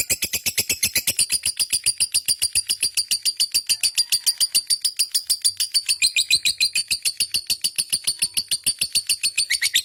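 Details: Lovebird in a long, sustained chattering song, rapid high notes repeated about three to four times per second, steady and unbroken throughout, in a small indoor room.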